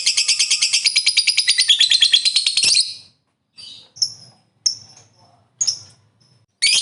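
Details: Lovebird ngekek trill, used to provoke other lovebirds: about three seconds of rapid, rhythmic, high rattling that stops abruptly. A few short, sharp chirps follow at intervals of roughly a second.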